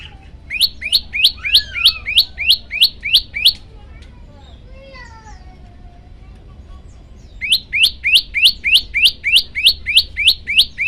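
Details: Olive-backed tailorbird song used as a master recording for training birds: a fast series of about nine sharp, ringing chip notes, roughly three per second. A quiet gap with softer varied twitters follows, then another long run of the same loud notes.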